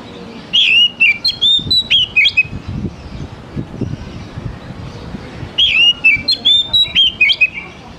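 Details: Oriental magpie-robin singing bright, varied whistled phrases with quick slurred notes, delivered in two bursts a few seconds apart over faint low background noise; a lure song for young wild-caught birds.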